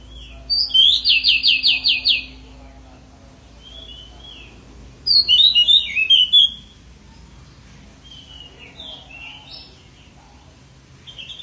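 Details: Pied bushchat singing actively: a fast series of crisp repeated downslurred notes, then a jumbled twittering phrase, followed by softer scattered chirps and a short closing note.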